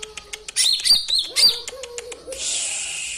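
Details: Songbird from a master recording for training cage birds, singing irregular sharp high ticks and whistled chirps, a brief tumbling phrase, then a drawn-out harsh hissing buzz.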